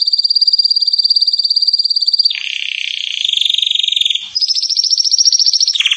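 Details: Belgian canary trilling rapidly at a high steady pitch, dropping to a lower buzzy roll, then jumping back up to a fast high trill before ending.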